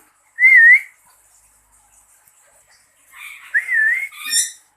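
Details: Pet lory answering its owner's whistling, tested from a distance: a single human whistle, a pause, then a cluster of harsh, buzzy squawks with a sharp shrill note at the end.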